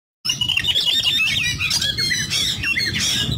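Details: Oriental magpie-robin, a "cool-type" chattering bird used as a lure recording, pouring out a dense, rapid chatter of high whistles, squeaky slurs and harsh notes, almost without pause, over a faint low rumble.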